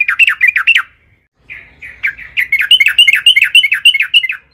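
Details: Lure song of a yellow-vented bulbul, meant to set other bulbuls singing: short bubbly phrase, a pause, then a longer chattering trill of quick rising-falling notes.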